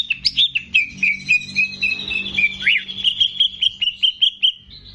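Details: Greater green leafbird in active song, recorded as a tutor for young birds: a rapid, steady series of short bright whistled notes, about a dozen in quick succession, with one sweeping note midway.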